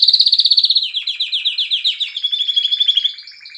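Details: Canary song: a fast, high rolling trill of evenly pulsed notes about four per second, stepping down in pitch after one second and continuing as a buzzy, slightly descending roll.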